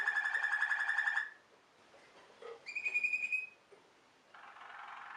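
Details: Waterslager canary, or Malinois canary, of Belgian origin and kept for its song: a long rolling trill, a quiet pause, a clear rising whistled tone, then another soft rolling trill.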